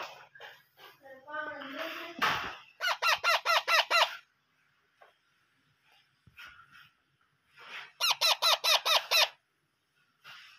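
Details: Begging parrot chicks during hand-feeding: two bursts of fast, evenly spaced, buzzy squeaks, each about five or six notes, with a rasping noise and some softer chatter between them.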